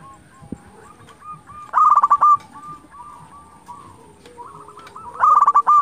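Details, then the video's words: Zebra dove song used to excite silent or stressed doves and raise their breeding drive: quiet scattered coos, then two loud rattling bursts of short tonal notes near the middle and end. "Perkutut lokal gacor Sekali Putar Lawan Pasti Emosi Langsung Nyaut"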